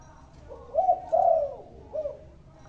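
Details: A single spotted dove song phrase, with a faint opening note, then a stronger double coo, the second drawn out and falling, and a clipped closing coo. A low steady hum sits underneath.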